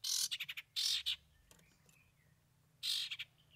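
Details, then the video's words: Long-tailed shrike delivering a song with three imitated fill-in phrases. Grating, broadband chatter bursts each trail into quick choppy notes. A thin faint whistle sounds in the pause before a final harsh burst. "Cendet Bongkar 3 Isian"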